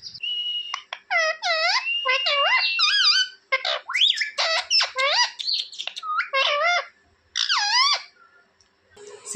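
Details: Talking pet rose-ringed parakeet in India rattling off a rapid series of bending, harmonic speech-like syllables and whistles, with short pauses, clear and close in a quiet room.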